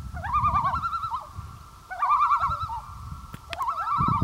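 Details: Common loon on Gavia Lake in 2011, giving three wavering, quavering tremolo phrases that rise into a rapid warble, separated by short pauses, over a low rumble of background noise.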